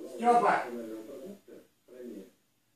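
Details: A pet grey parrot speaking its first words says "privet" (hello) in Russian in a human-like voice: one longer, rising phrase, then two short clipped words, in a quiet indoor room.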